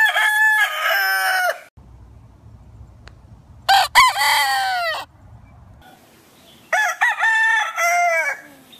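Three loud, harmonic rooster crows, each about a second or more long, rising then falling, separated by quiet gaps with faint low background hum.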